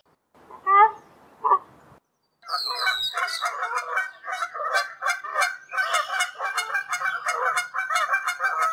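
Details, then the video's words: Two loud, separate honks from a wild Canada goose, then after a pause a whole flock flying high over Canada breaks into a continuous, overlapping chorus of nasal calls. "Canada goose sounds in large space somewhere in Canada. Wild goose call in flight."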